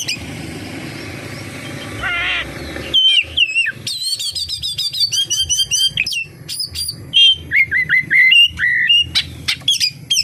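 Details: Oriental magpie-robin full kapas tembak song. A muffled, noisy start gives way to a long, fast medley of ringing whistles, clipped chips and swooping phrases.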